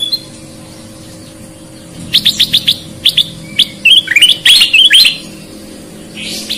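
A sooty-headed bulbul gives a quick run of bright chirps, then bubbly, looping whistled notes over about three seconds, with a faint steady hum behind.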